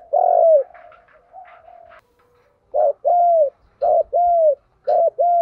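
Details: Spotted dove in the 'giọng đồng' coo style with 'gù vấy thúc' phrasing, a lure for training newly caught and decoy birds: a long arched coo, a fainter murmur, then three short-note-plus-long-coo pairs at mid pitch.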